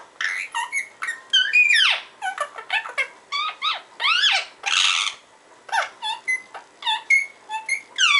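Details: A parrot's nonstop gibberish: rapid squeaks, downward whistled slurs and a buzzy rasp, tumbling over one another for several seconds with only brief gaps.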